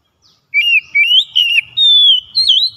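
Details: Oriental magpie-robin lure song for a lazy bird: loud, pure whistled phrases that wobble and glide, rising and falling in four or five connected strands over a few seconds.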